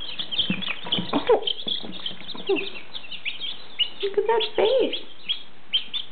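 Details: Fifteen newly hatched domestic chicks, one and two days old, from a first hatch, peeping busily: dense, high, short piping notes overlapping throughout, with a woman talking softly to them over the top.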